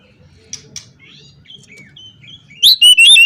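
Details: Oriental magpie-robin calling out opponents: soft scattered chirps and thin sliding whistles, then an abrupt loud outburst of bright, high, rising-and-falling whistles in three quick bursts near the end.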